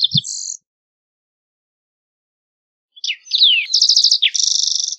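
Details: Green-tailed towhee: a short buzzy note, a long silence, then a phrase of slurred whistles running into rapid buzzy trills, with a faint low thump at the start.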